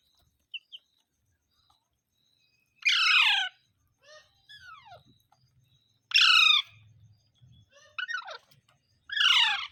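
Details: Parrot giving several raucous, descending squawks spaced a few seconds apart, with thin whistled slides and soft low rumbles between the loud calls.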